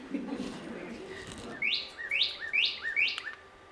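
Northern Cardinal giving four loud, sharp downslurred whistles, 'pew, pew, pew', about one every half second, after a brief stretch of low murmuring.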